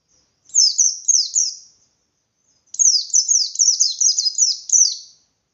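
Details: Pleci or white-eye in persistent 'ngalas' song meant to stir rival white-eyes to reply and fight: a brief burst of three high downward-swept notes, a pause of about a second, then a long fast chattering run.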